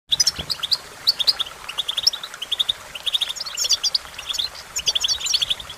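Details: European goldfinch (Carduelis carduelis), song.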